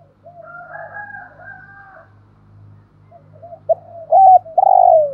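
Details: Decoy spotted dove of the 'thổ' voice type. A long, wavering, double-toned slur is followed by soft notes, then a loud burst of hollow coos ending in a drawn, falling note. A low steady hum continues throughout.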